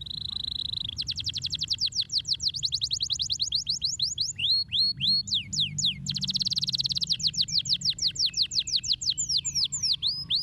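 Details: Canary delivering continuous high-pitched song: fast buzzy trills alternating with runs of clear upward-swept whistles and descending slurred notes, repeated steadily over about ten seconds with low hum beneath.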